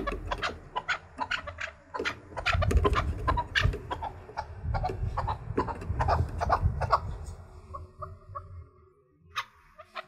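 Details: Caged chukar partridge, trained for fighting, singing to challenge rivals: rapid loud clucking chuck notes repeated about three per second over a low rumbling background, fading to a few sparse calls near the end.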